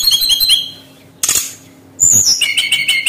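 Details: Brown-chested jungle flycatcher song played to lure birds into singing: high whistled phrases near the top of the range, a sharp burst, then a rapid run of repeated notes after a short gap.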